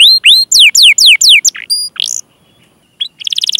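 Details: Canary gacor training song to draw out young or silent canaries: several loud descending whistled slurs, a pure held whistle, a pause, then a fast buzzy trill starting up.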